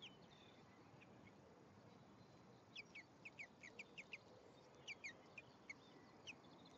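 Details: At a nest on 1 May 2015, a male and female European greenfinch give sharp, clipped chirps in quick series, grouped into several short bursts with brief pauses between.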